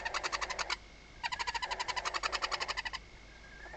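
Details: Barn owl in a nest box at Riet Vell reserve in the Ebro Delta, night of 21 October 2025, when the male arrives with the first prey. Two bursts of quick, regular rasping clicks, separated by a half-second pause.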